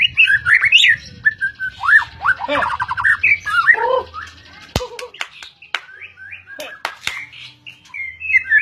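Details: Medan-type white-rumped shama, fighter type, in full song with rich varied phrases, rising and falling whistles and a fast rattling trill, later broken by sharp clicks and short emphatic notes, with low rumbling in the background.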